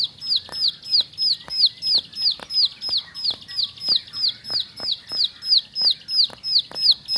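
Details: Bar-winged prinia in ngebren song, a long run of crisp, high, falling whistled notes delivered rapidly and evenly, roughly three per second, over soft background ticks.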